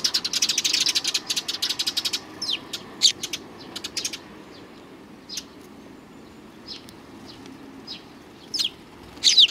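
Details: Sparrows flock in to be fed along a Tenmangu shrine approach on 29 May 2020; a rapid run of wing flutters and clustered high chirps opens, followed by sparse short tweets and a final burst of chirping.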